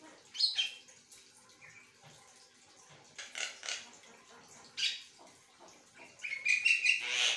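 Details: Asian pied starling in nonstop song: scattered harsh chacks and rasps, then a fast run of thin whistled notes building to a loud noisy finish.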